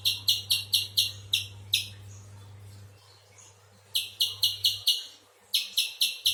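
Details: Spiderhunter calling in bursts of quick, piercing chip notes, pausing about a second between bursts, background hum dropping out midway.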